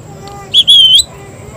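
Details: Pet parrot saying "mitthu": a short, high whistled syllable, then a longer, level, whistle-like note, clear and loud against a quiet background hum.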